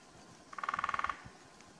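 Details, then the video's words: Male lesser spotted woodpecker drumming on oak in the Karst of Slovenia in February: a single even roll of about twelve rapid knocks lasting just over half a second, with faint background hiss. "Lesser Spotted Woodpecker drumming"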